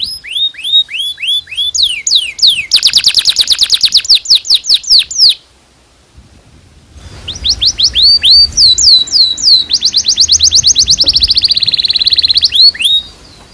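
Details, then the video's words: Canary song used as a training recording for young canaries: bursts of rapid falling chirps and dense buzzy rolls, a short gap, then more fast repeated notes ending in a sustained trill. "PANCINGAN Kenari GACOR PANJANG Cuit CUIT EMOSI ini AMPUH utk MASTERAN Kenari PAUD belajar BUNYI"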